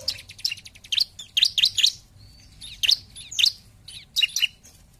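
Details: Bar-winged prinia singing to provoke rivals: loud, sharp high notes in tight groups of two or three, separated by short quiet gaps, over a faint low rumble.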